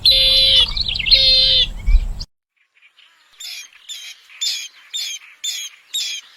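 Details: Bronze-winged jacana: two loud buzzy rasping bursts, a short silence, then a series of seven short, clear piping notes repeated roughly every half second.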